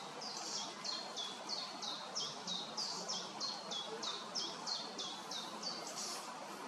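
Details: Great spotted woodpeckers on a pear tree in Hrodna, western Belarus, 7 June 2025, where a female is feeding a young bird: sharp, high, slightly harsh notes repeated about three times a second in a steady series over soft outdoor hiss.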